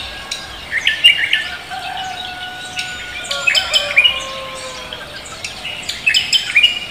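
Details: Morning song of cucak kombo, known as koak kelapa: sharp high chirps and squawky notes over soft drawn-out whistles that slowly fall in pitch, in an irregular stop-start pattern.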